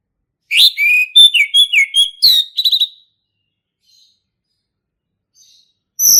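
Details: Forest-recorded male orange-headed thrush in lively ngeplong song: a fast phrase of about ten varied whistled notes, some rising and some falling, followed by silence and a faint high note at the end.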